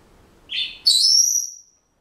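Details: Captive Senegal parrot kept as a household pet: a short whistled note followed by a loud, long, pure whistle that jumps higher and holds steady before fading.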